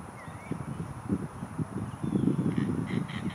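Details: Perched over a lake, an anhinga calls with a gruff, low, stuttering series of clicks that thickens toward the end, with a few distant whistled notes in the background.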